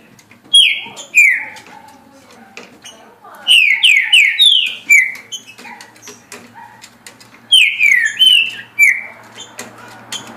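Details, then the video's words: Green-winged saltator in a cage singing at a pace of 17 songs a minute: bright descending whistled notes in rapid bursts of three to five, repeated several times, over a low steady hum. "Trinca Ferro Senhor dos Anéis Passando 17 Cantos por Minuto"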